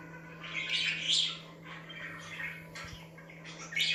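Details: Budgerigars chatter indoors in bright, scratchy warbles and chirps, rising in bursts around the first second and again at the end, over a low steady hum; this chirping is said to calm or stir other budgies.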